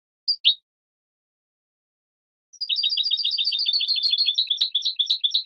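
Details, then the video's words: Two quick high notes from a European goldfinch, then after a pause a long, rapid, liquid twittering series of many repeated notes running to the end. Taken from a 2017 training recording for captive birds. "chant chardonneret 2017 goldfinch TRAINING CD"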